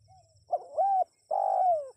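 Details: Spotted dove cooing to get wild birds to answer: a faint introductory note, a rising coo, then a long, loud coo that sinks slowly in pitch at the end.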